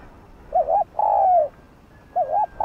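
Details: Spotted dove calling to provoke decoy birds: a wavering rising-falling note followed by a sustained, gently descending coo, then the start of another phrase.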